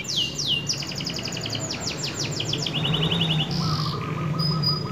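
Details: F1 canary kept as a song model for training birds: a few high downslurred notes, then rapid stuttering trills and a short steady whistle, fairly soft against a noisy background with low rumble.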